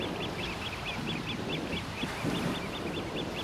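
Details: A flock of Eurasian oystercatchers staying on a coast in Mie's Hokusei region, Japan, gives shrill piping calls in fast, steady series of about four per second, overlapping, over constant wind and surf.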